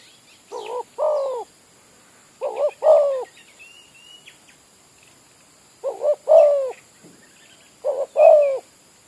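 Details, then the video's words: Village-type spotted dove used as a lure in an oil-palm plantation, repeating clear coo phrases of two short notes and a longer rolling coo every two to three seconds, with a few faint bird chirps between. "Ayol Terkukur-burung kampong jadi pikat"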